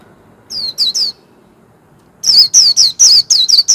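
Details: Kept warbling white-eye singing in the líu style: three high, thin, down-slurred whistled notes, a pause of about a second, then a faster run of six similar sharp notes with slight wavering.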